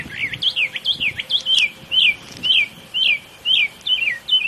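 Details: Northern mockingbird outside an office in the morning, imitating a squeaky swing: a run of quick squeaky notes, then single rising creaks repeated about every half second, high and thin.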